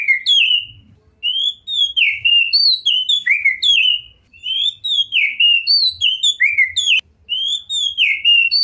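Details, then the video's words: Rich whistled song of a champion Oriental magpie-robin (kacer) in 'gacor' form: repeated swooping phrases, each a high note dropping into a lower slur, delivered in fast, nearly continuous sequence. "OCEHAN KACER TOP, GACOR DORRR ll JUARA FULL MATERI MEWAH 2021"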